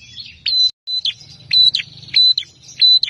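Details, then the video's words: Agitated, fighting Bar-winged prinia: rapid sharp phrases of piercing whistled notes with rasping buzzes, repeated about every half to two-thirds of a second, over a steady low hum. "Prenjak Petarung Gacor Emosian"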